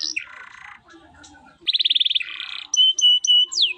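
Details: Canary singing a chatty, richly varied song in the luxurious cengkok style: buzzy rolls, a fast high pulsed trill, then clear whistled notes and downward sweeps, with faint low background noise.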